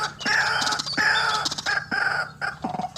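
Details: White-breasted waterhen call used as a lure for bird trapping: loud, harsh, wavering croaks around the mid range, given in rapid overlapping bursts with short gaps, with some clicking notes low beneath.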